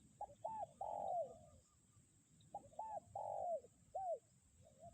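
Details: Spotted dove used as a lure, still calling in strong wind in 'kuk 1' style: two phrases of paired short arched notes and a drawn-out falling coo, each closed by an extra hooked note, with wind rumble throughout.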